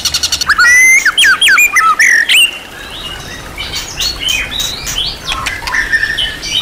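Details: Murai batu, the white-rumped shama, in a champion-class tutor recording rich in material: a few rapid clicks, then loud looping whistled phrases for about two seconds, fading into softer scattered notes.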